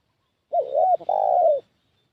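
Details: A spotted dove cooing as a decoy to draw in wild doves: a short curved note, an arched middle coo, and a sustained, gradually falling final coo in one smooth phrase.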